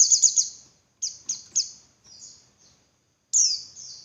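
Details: High-pitched calls of a female Javan white-eye, meant to make males sing more insistently: a quick trilled cluster, then separate thin falling whistles, a pause, and a final louder downslurred note.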